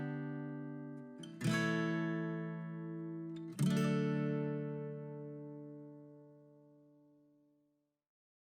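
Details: Two strummed acoustic guitar chords ringing out and slowly fading; no animal voice.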